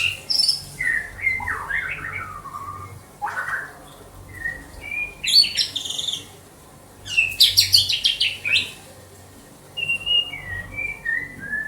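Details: White-rumped shama from Banda Aceh delivering rich varied song: fluty whistled phrases rising and falling, bursts of fast buzzy trills, and short clear whistles spaced by brief pauses.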